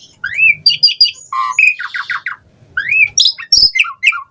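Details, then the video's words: Asian pied starling singing, used as a lure to get other starlings singing: rising slurred whistles, chattering buzzy phrases, a low harsh note and a sharp click, with varied repeated squawky syllables. "Jalak Suren Gacor Full Isian VARIASI Cocok Buat Pancingan Suara Burung Jalak Agar Gacor"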